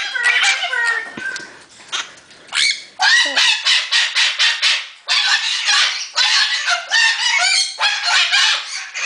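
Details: A rescued pet conure, recorded March 18, 2010, gives harsh, loud, grating screeches, about two a second in rapid bursts, after brief human speech; owner says she is happy and this is a good noise, though conures get this loud when unhappy.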